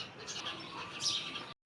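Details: House sparrows at daybreak, one having come into a house, giving short high chirps over a steady wash of background noise, with devotional songs from a temple loudspeaker nearby.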